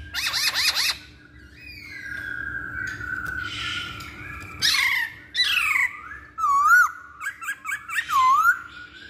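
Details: Lure song of a masked laughingthrush meant to prompt other birds into singing: harsh squawks, a long drawn whistle, then loud looping whistled phrases repeated with short breaks; low steady hum throughout.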